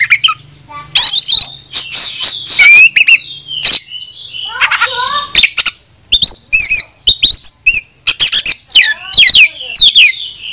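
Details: Oriental magpie-robin (kacer) in full song, meant to provoke rival males into spreading their tails and fighting: loud varied whistles, rising and falling slurred notes and sharp chips, with a low hum and buzzy noise early on.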